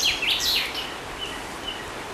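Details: Common chaffinch singing: the end of a phrase with quick, high, descending notes, then faint distant chirps against constant outdoor background noise.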